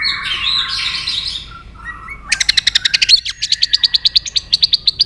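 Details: White-rumped shama in competitive singing with tail flicking: a burst of mixed warbled notes, then short sliding whistles, then a fast run of sharp repeated notes, about four each second.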